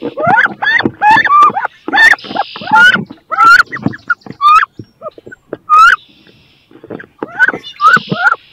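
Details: Two female wood ducks fighting fiercely over a nest box where both want to lay give squeaky, rising squeals in quick, uneven bursts, sometimes overlapping, with short scraping rustles between calls.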